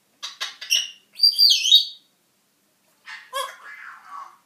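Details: Pet African grey parrot having a chat in a room: a fast run of sharp clicks and chirps leading into a bright, warbling squawk, a pause, then more rapid clicking chirps and a lower gurgling phrase.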